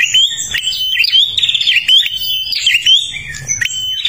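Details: Vigorously singing prinia from Kalimantan, its song used to attract other birds: unbroken high, bright trilling and whistled notes, some rising, others falling, delivered rapidly for the whole stretch, with nothing else clearly heard.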